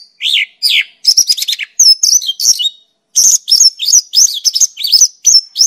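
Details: Mongolian lark (known locally as pakling) singing a lively, varied run of high chirps, downslurred whistles and quick buzzy trills, delivered in rapid bursts with short pauses, clean background without other sounds.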